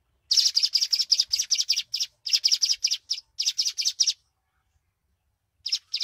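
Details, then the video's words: Weaver lure call used for trapping birds: long runs of sharp, high chirps delivered in quick succession, grouped into bursts of several notes with short gaps, then a pause before a final pair of chirps. "SUARA MASTERAN PIKAT BURUNG MANYAR"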